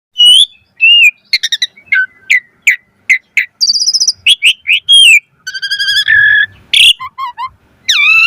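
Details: Asian pied starling song in the full-variation 'mompa' style, used as a lure and training recording for starlings: a rapid medley of whistled slurs, buzzy harmonic notes, short clicks and a high rasping note, delivered in quick bursts.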